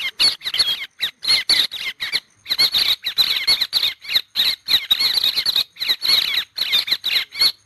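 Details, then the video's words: White-headed héc xoan calling to its flock, a species moving in flocks of tens to hundreds, trapping season from early December: rapid, high, chattering bursts of short notes, several a second, broken by brief pauses. "Tiếng chim héc xoan đầu trắng gọi đàn cực chuẩn"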